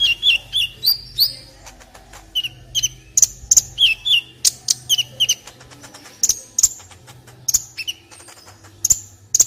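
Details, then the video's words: Olive-backed sunbird singing for a tutor recording for other birds: high, sharp chirps repeated about three times a second in an uneven rhythm, mixing downslurred whistles with thin, piercing notes. "MASTERAN KOLIBRI NINJA JERNIH"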